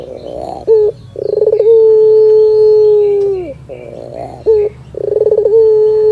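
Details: Barbary dove song enjoyed by a cat: rising pulsed notes and a short clipped call lead into a long, steady coo that droops at its end, with the whole phrase starting again twice.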